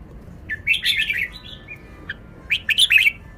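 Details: Caged red-whiskered bulbul showing off its song phrasing: bright, warbled whistled phrases, a quick run of notes followed by a pause and a single clear note, then a second burst of rich chirping notes near the end.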